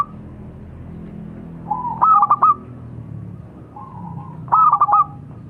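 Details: Local zebra dove calling twice: each phrase a quiet level coo leading into a loud clipped burst of rapid clicking trills, separated by roughly two and a half seconds of background hiss.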